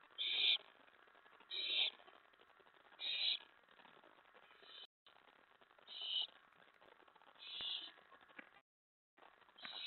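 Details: At an owl nest late at night on May 15, 2017, with food brought in: harsh rasping screeches repeat roughly every one and a half seconds, six bursts in all, with brief dropouts of silence between.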